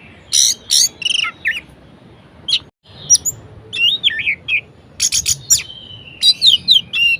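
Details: Orange-headed thrush in full, varied song, played to rouse lazy thrushes into singing: rapid run of sharp whistled notes, buzzy chirps and bending slurred phrases with brief pauses, ending in a sustained high whistle followed by quick chips.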